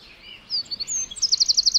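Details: Wren chirping in a forest: a few thin, high notes, then a crisp, fast trill of about six bright repeated notes at the end, over faint background hiss.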